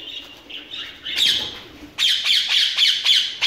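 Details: Ringneck parakeets in a breeding setup among mixed birds give loud harsh squawks, a scratchy run at first, then a series of sharp screeches repeated about every quarter second.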